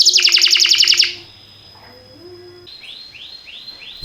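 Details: Canary singing for canary training: a loud, quick pulsed trill of about ten notes in one second, a quiet pause with a faint low tone, then soft swooping notes repeated about twice a second.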